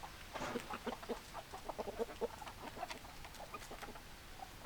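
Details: Farm chickens give short, low clucks at an irregular, unhurried pace, fainter and sparser, against steady background noise from other animals.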